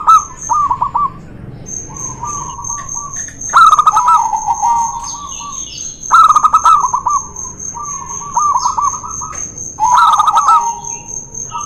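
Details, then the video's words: Zebra doves, a local bird and a white one in a duel, cooing to prompt doves reluctant to sing: bubbling, trilled coo phrases with sharp clicking bursts, over a steady high-pitched whine throughout. "PANCINGAN BURUNG PERKUTUT MALES BUNYI..DUEL MAUT LOKAL VS PERKUTUT PUTIH"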